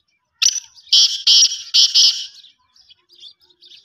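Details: Black francolin (kala teetar) giving a loud, harsh, grating call: four or five rasping buzzy notes in a quick stuttering series lasting about two seconds, then faint softer chirps fading out.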